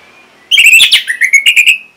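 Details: Orange-headed thrush from North Bali singing to prompt other birds: a loud melodic warble, then a string of five or six short, clear whistled notes fading out.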